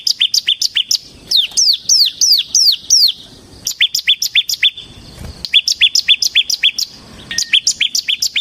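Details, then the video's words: Bar-winged prinia, a captive ciblek in lively 'gacor' song used as a lure and tutor for training birds: rapid series of sharp high chirps with downward-hooked notes, delivered in bursts of about four per second with short pauses between phrases. "suara burung CIBLEK SEMI GACOR Ngebren Ampuh untuk Pancingan Ciblek Kristal dan Masteran Ciblek"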